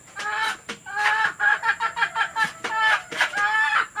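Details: Hen sounds recorded in Indonesia for playing to hens about to lay eggs: dense harmonic clucks and cackles, several overlapping, rising and falling in quick repeated bursts.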